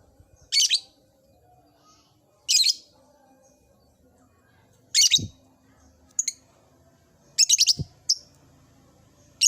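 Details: Lovebird kept in an old cage, starting to ngekek: harsh, high squeaky chirps come in separate bursts roughly every two seconds, a few of them stuttered, over a quiet room background.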